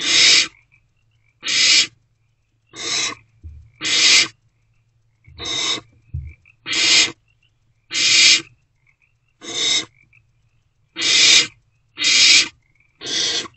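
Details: Barn owl owlet begging at night in a nest box while swallowing a delivered rodent; a long run of harsh, noisy hisses, eleven in about thirteen seconds, with a few soft knocks between them.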